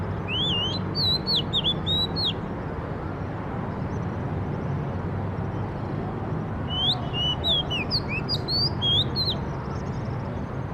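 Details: A singing bird gives two separated phrases of rapid twisting whistles, one at the start and one after a long gap, against a constant low rumble.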